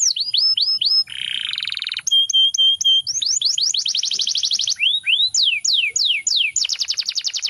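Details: Canary song: fast, steady rolls of repeated notes, with downward-sweeping whistles, quick trills and buzzy tours. Each phrase type repeats several times before the song switches to the next, over a faint high background tone.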